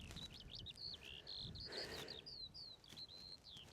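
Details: Skylark on open downland at Ventnor Downs, Isle of Wight, in sunshine, giving a rapid run of high chirping, slurred notes with short pauses, with some wind noise beneath.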